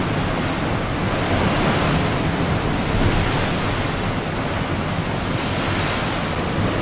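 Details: A nesting pair of Pigeon Guillemots at Sea Lion Caves, Oregon, in nesting season, gives thin, very high, whistled peeps in a quick steady series, about four a second, over a heavy roar of surf and wind.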